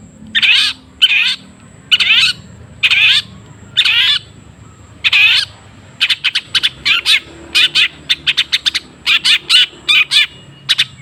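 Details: Long-tailed shrike, used as a lure sound to make a quiet kept bird sing more. About seven harsh, raspy bursts come roughly every half second, followed by a quicker run of short, clipped, scratchy notes, with a faint steady high tone behind.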